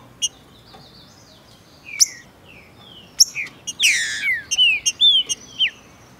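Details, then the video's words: A male Green-winged Saltator (Saltator similis), kept bird, opens its song eagerly and fast: a quick string of clear, high whistled notes, many slurring downward, broken midway by a short rustling burst. "ABRINDO CANTO COM VONTADE E VELOCIDADE! TRINCA-FERRO FIBRADO COM MACHEADO DE FÊMEA."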